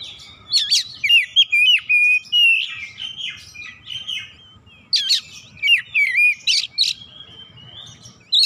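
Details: Oriental magpie-robin, a reluctant singer said to burst into full song after one listen, delivering loud varied phrases of clear whistles, sharp rising and falling notes and buzzy bursts in irregular clusters, with a faint low hum underneath.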